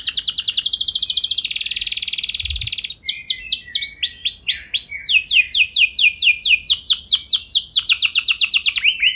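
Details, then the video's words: Canary singing a lure song for training other canaries to roll long: a dense rapid trill, a short break, then arched repeated notes and fast sweeping note series to the end. "Pancingan Burung Kenari Ampuh Bikin Kenari Lain Auto Gacor Ngeroll Panjang | Canary Singing"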